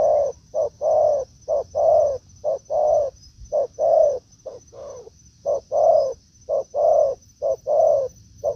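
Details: Spotted dove, a decoy taken to the forest after a week meeting a wild bird: rhythmic low coos in short-long patterns repeated near once per second, a faint high whine running throughout.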